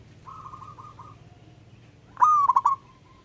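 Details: Local wild-type zebra dove calling to a rival: a faint soft cooing phrase, then a loud mid-pitched coo broken into quick stuttering notes that run together and trail off, over low background hum.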